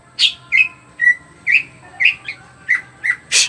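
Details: Greater green leafbird singing actively, its song used as a lure to make other birds sing quickly: separate short whistled notes near one pitch with brief rising inflections, roughly two per second, ending in a harsh buzzy burst.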